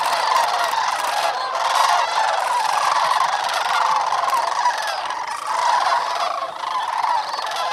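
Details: Sandhill crane flock at the North Crane Pool, Bosque del Apache National Wildlife Refuge, New Mexico, just after sunrise on a cold late-November morning in 2010. An unbroken wall of overlapping rolling, croaking calls from numerous birds.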